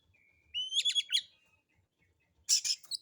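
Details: A relaxed Oriental magpie-robin (kacer) sings a lure of rough material: a thin steady whistle leads into rapid rattling chips, a pause, then a dense scratchy burst of notes.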